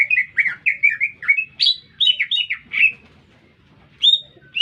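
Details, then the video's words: A green leafbird singing energetically in the city: a quick jumble of slurred whistles and chirps, a short quiet gap, then a single clear high whistle, with soft low hum behind. "Cicak Ijo Gacor"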